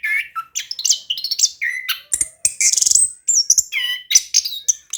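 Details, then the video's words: Orange-headed thrush singing steadily and rolling, meant to lure a reluctant bird into song; varied whistles, high sharp notes and a rapid dry rattle in the middle, phrases following closely. "ANIS KEMBANG GACOR DAN NGEROLL COCOK UNTUK PANCINGAN ANIS KEMBANG MALAS BUNYI"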